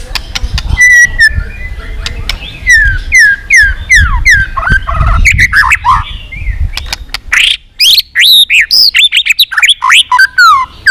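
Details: Contest song of a white-rumped shama, used to stir other birds to sing: varied whistled phrases with downward slurs and rising notes, growing quicker and denser toward the end, over a low rumbling background.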